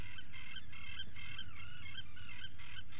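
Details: Atlantic puffins in a burrow at breakfast, recorded by a live camera at 04:58 on 28 June 2019; rapid harmonic nasal calls repeat about four times a second, some dipping, over a low rumble.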